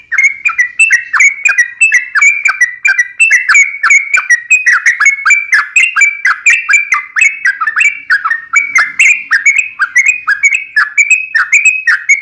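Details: Sustained trucukan fighting song, an unbroken twelve-second stream of rapid, rolling whistled notes and slurs, evenly loud throughout, with high ticking accents.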